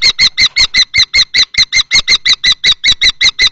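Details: Two male common kestrels, a young male in juvenile plumage and an older adult-plumaged male, fight over a nest box in Théding on 20 March 2024; rapid harsh repeated squealing notes, about five per second, evenly spaced, in a small enclosed space.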